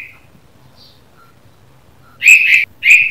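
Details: In the morning a red-vented bulbul gives a few faint short notes, then two loud, bright double chirps close together at the end.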